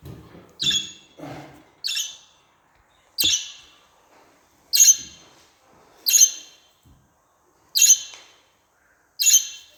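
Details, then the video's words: Budgerigar repeating loud, raspy high squawks, each a brief noisy burst, roughly every second or so across the stretch, with near silence in the gaps. "Muhabbet Kuşu SESİ"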